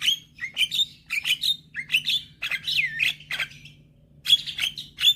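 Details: Lively young Javan myna song, performed while nodding, used to trigger singing in quiet birds: clear whistled and buzzy notes sweeping up and down, brief silence midway, then loud bright whistles resume.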